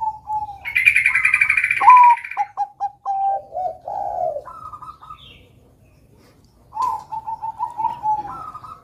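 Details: Bangkok-type zebra dove in full song, meant to spur young doves to sing. Coos open under a loud buzzy hiss. A bright note and a run of short, clipped coos follow, ending in low rolling tones, and a second phrase starts after a pause.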